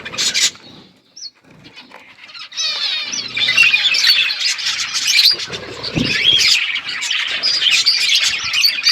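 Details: Parrots eating and chirping on February 25, 2024; a short quiet stretch at the start, then the chatter swells into a loud, continuous mass of shrill chirps and squawks.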